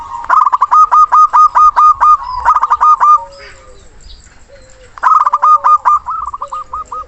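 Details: Local zebra dove singing loudly with a long-breathed phrase to challenge a rival; two rapid bursts of clipped, repeated cooing notes, the first about three seconds long, separated by a quiet pause with faint low coos.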